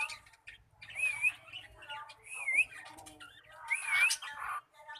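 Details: Cockatiel practising its song: wavering whistled phrases that rise and dip, repeated a few times with breathy, noisy chatter between them.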